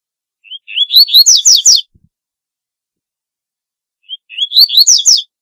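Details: Double-collared seedeater singing a song used to call and attract birds: two quick, high phrases of rising chips running into a rapid, buzzy warble, about a second long, with quiet between.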